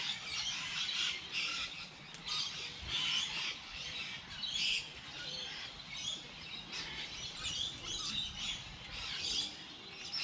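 Several birds chirp and twitter in bright, overlapping bursts high in pitch, with a steady soft patter of light rain underneath.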